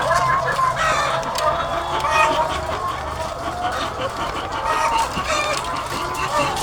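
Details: Egg-laying chickens by the thousands on a farm: a constant wash of overlapping clucking and nasal squawks with no pauses, over a persistent low droning hum like machinery.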